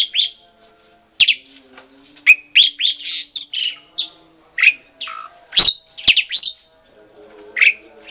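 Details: Mated pair of caged Asian pied starlings in a breeding enclosure near a house, answering one another in song; clustered scratchy, squealing notes, some clicks, irregular spacing over a quiet hum.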